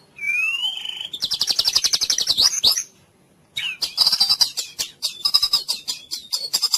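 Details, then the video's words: White-rumped shama in cililin-style training song: a rising whistle leads into a fast buzzy trill, then after a pause a run of quick high notes and chips. "MASTERAN MURAI FULL CILILIN bikin JAGOAN JADI NGOTOT di LAPANGAN"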